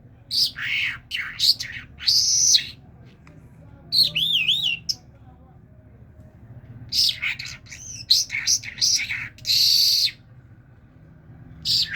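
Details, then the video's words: Talking common myna from Kerman gives a varied run of harsh chirps, buzzy bursts and a wavering whistled trill, in short phrases separated by pauses. "طرقه سخنگو کرمانی"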